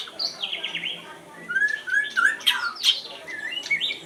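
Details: Oriental Magpie-Robin singing a lively sequence. A buzzy opening note leads into clear whistled slurs and sharp, broadband chip notes, with pitch jumping between phrases.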